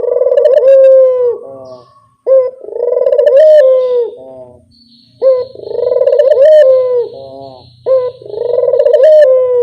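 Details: Lure-call coos of a Barbary dove: loud, resonant rolling phrases, each ending in a held tone, repeated roughly every three seconds, with a faint steady hum in the gaps.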